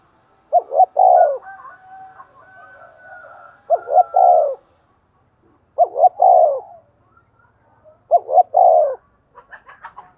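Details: Morning calling of a decoy spotted dove used to attract wild birds. Four regular three-part cooing phrases roughly every two seconds, each two short notes and a longer coo. Faint softer calls fill the gaps, and a few brief chirps come at the end.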